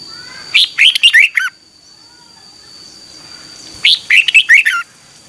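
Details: Red-whiskered bulbul giving morning song to train other bulbuls: a quick tumbling phrase of chirpy, slurred whistles, a quiet pause of a few seconds, then a similar phrase again.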